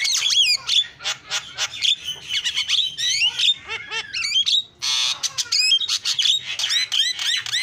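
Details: Javan myna singing energetically: dense run of harsh squawks mixed with sharp rising and falling whistles, clicks and chattering notes, almost continuous, with a brief noisy burst near the middle.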